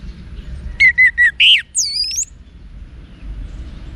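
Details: Orange-headed thrush (anis merah) in wiksar song for training caged birds: three quick mid-pitched whistled notes, a buzzy note, then one long high wavering whistle, followed by quiet low background rumble.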